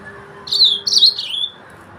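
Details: A brief pair of loud, high, slurred warbled notes from a yellow-fronted canary, the second dropping in pitch, lasting about one second in a quiet setting.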